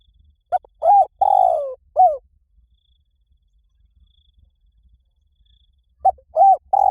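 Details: Spotted dove call in the liu tan style used to lure and train a dove to call in reply: one full phrase of short note, arched coo, long falling rolling coo and closing coo, then the start of the next.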